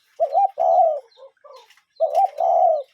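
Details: Cuckoo calling in a natural setting with a real bird: two-part hollow hoots, a quick first note then a longer, fuller second, given twice about two seconds apart, soft chirps between.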